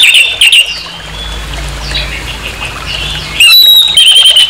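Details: Harsh orange-headed thrush song meant to stir up a rival: scratchy whistled phrases at the start, a quieter stretch with faint notes, then a loud burst of thin whistles and rasping sounds.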